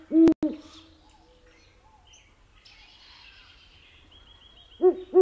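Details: Great horned owl (Bubo virginianus) daytime hoots: deep, soft hoots open and close the stretch about four and a half seconds apart, with faint high songbird twitters between.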